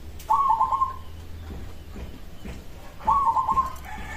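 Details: A local zebra dove repeats its rapid, bubbling trilled coo twice, about three seconds apart, a song said to make other doves answer at once, with soft background hiss between phrases.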